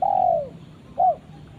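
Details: Low coos from a spotted dove calling its companion: one long, slowly falling coo followed by a short arched note, with soft background noise.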